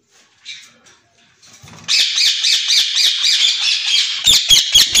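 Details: A pair of captive white ringneck parakeets offered for sale; after a quiet start, harsh, grating screeches pour out in a dense, pulsing run of about two per second, with sharp clicks near the end.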